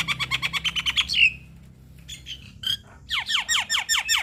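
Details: Black-winged starling singing for young birds to learn from: a fast run of buzzy notes ending in a sliding whistle, a pause with a few scattered calls, then a series of harsh, falling notes.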